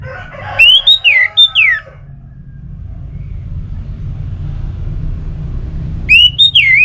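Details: Orange-headed thrush song played to coax kept birds into singing: two bursts of loud, clear whistled phrases, slurred up and down with sharp rising and falling notes, separated by about four seconds of quiet over a steady low hum.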